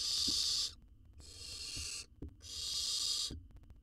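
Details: Owl chick in a camera-watched research nest box in Israel, taking a jird, makes three loud, hoarse hissing blasts in quick succession, separated by brief pauses, with faint thumps beneath.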